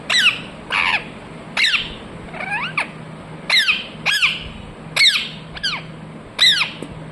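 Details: Talking parrot, said to repeat "mithu mithu": sharp, harmonic, downward-sweeping squawk-like syllables given in uneven bursts about every second, over a low steady hum in an indoor setting.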